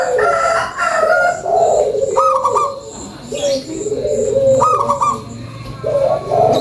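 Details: Local zebra dove producing a lively lure song: a chain of bubbling coos, each with a high clipped start and falling notes, repeated several times over steady distant chirping.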